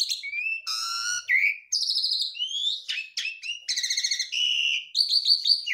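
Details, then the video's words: Javan pied starling delivering nonstop isian, a medley of imitated bird phrases: flat whistles, a low whistled note, harsh buzzy rattles and quick upward slurs in rapid succession, clean with no background noise. "JALAK SUREN GARUDA MOMPA, isian full"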